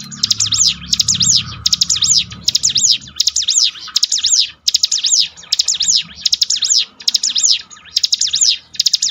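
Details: Bar-winged prinia training song: evenly spaced bursts of loud, high, rounded chirps, about two bursts per second, with a low murmur in the first three seconds and a faint steady hum.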